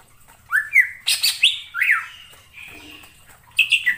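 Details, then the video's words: Wild greater green leafbird (cucak ijo) in forest giving a rapid run of loud, varied whistles and sharp chirps, some rising and some falling, with a brief pause midway. "suara cucak ijo di alam liar"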